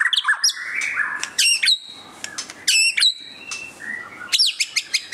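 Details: Displaying white-rumped shama pours out a fast medley of sharp clicks, ringing high notes and brief whistled slurs, ending in a run of quick repeated metallic ticks.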